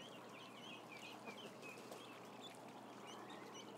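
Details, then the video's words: A crowd of roughly 1,000 ducklings peeps continuously, with short high arched chirps scattered densely through the recording over a broad steady rumble. "1,000 Ducklings doing nothing cam"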